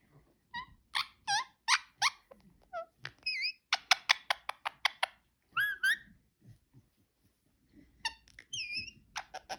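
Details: Pet parakeet making cute noises: rapid bursts of sharp, buzzy chirps and clicks, with a few looping whistled notes around the middle and near the end, and short pauses between runs.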